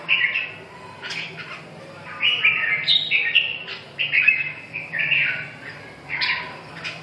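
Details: Red-whiskered bulbul singing short, bright warbled phrases that rise and fall, given in bursts about every second with brief pauses between them. A faint low hum runs underneath.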